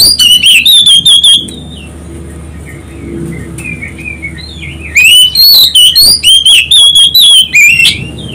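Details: Used to provoke other birds into song, this Oriental magpie-robin delivers loud, clear whistled phrases in fast succession, pauses while faint background chirps continue, then resumes with another long burst of varied, sweeping notes.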